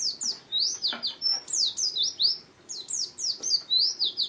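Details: Wild-type ngalas song from an Oriental white-eye: a lively stream of high, sharp, slurred chirps, tightly packed and rising and falling in quick succession, pausing briefly near the middle.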